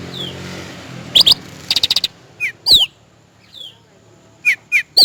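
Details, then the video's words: Cucak rante song for bird training and luring: a faint falling whistle, double chirps and a rapid buzzy stutter, then repeated downward-slurred whistled notes, with a steady low hum underneath. "Suara asli burung cucak rante buat masteran dan pikat"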